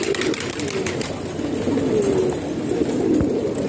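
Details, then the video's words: House-kept pigeons in Pakistan coo in a soft low drone; a couple of gliding, slightly falling coo notes stand out amid light tapping and background hum. "Pigeon Sound"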